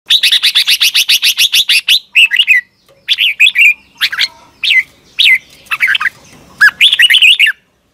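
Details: Red-whiskered bulbul from Thailand, a cage bird, singing a doubled (เบิ้ล) style song: a fast run of about eighteen short even notes, then loud, bubbly whistled phrases broken by brief pauses.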